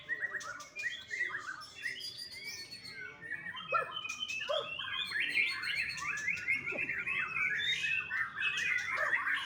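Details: Bali farm-bred young white-rumped shama giving a lively, rambling song of quick chirps, trills and sweeping whistles that grows louder and denser toward the end, with sharp clicks scattered through.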